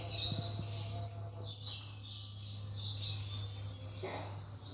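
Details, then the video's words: Pet thrush (anis) in its cage, singing in ngeplong style: two bursts of rapid, bright, high trilled notes separated by a soft pause, with a steady low electrical hum. "Burung Anis "Ronggeng" Ngeplong Mabok berat"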